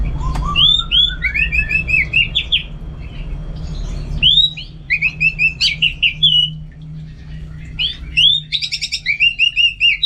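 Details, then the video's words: Caged orange-headed thrush from northern Bali, kept for singing contests, pours out a long rich song: a rising series of whistles, then rapid repeated downslurred notes and quick trilled phrases, with a low hum behind. "Super Kicauan ANIS MERAH Gacor"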